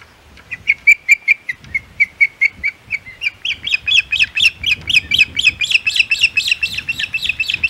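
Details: Osprey at the Hog Island nest at lunchtime, July 2020: a long series of sharp, high chirping calls, first evenly spaced, then faster and harsher, repeated several times a second, with low rustling beneath.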